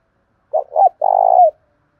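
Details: Spotted dove calling in the thổ pha voice style, urged on to compete: two quick low gurgling notes followed by one long, steady, hollow coo that dips at the end, in silence.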